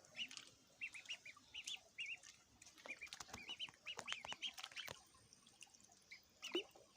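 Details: Baby ducks feeding utter steady, bright peeps, often in paired or tripled bursts about every half second, over soft ticking and tapping sounds of eating.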